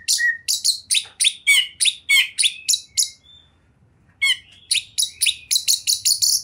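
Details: A top-performing kacer, the Oriental magpie-robin, in full ocehan: quick strings of sharp, high chipping notes about three per second with short whistled slides, a two-second lull, then a renewed run of loud rasping chips.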